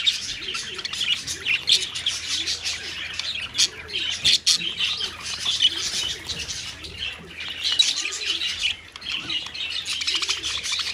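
A colony of parakeets chattering nonstop, with many shrill, high chirps and squawks overlapping into a busy, constant din and no pause.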